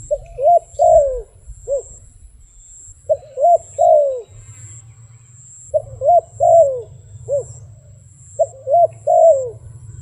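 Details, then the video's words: A wild dove gives soft, hollow coos in phrases of four or five notes, the last note longer and falling, repeated about every two and a half seconds over low rumble. "លលកព្រៃនេះសម្លេងល្អគួរសម🤩🕊This wild dove sounds pretty good."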